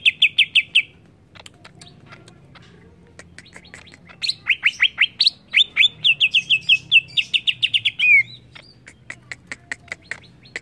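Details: Greater green leafbird in agitated song: a quick opening trill, then dense series of clipped chirps and a long run of rapid repeated whistled notes ending in a slurred flourish.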